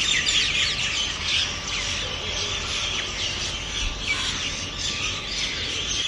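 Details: Rose-ringed Parakeets passing overhead in flight after flight at dawn above a south Delhi rooftop terrace garden during the 2020 lockdown, the most vociferous birds then; dense overlapping harsh high calls fill a busy dawn chorus.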